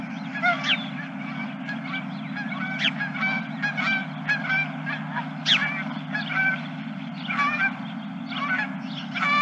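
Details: Many geese at a ranch in late March, honking in a dense overlapping chorus; harsh nasal calls stack up continuously with a few louder, sharper honks standing out, over a steady low hum.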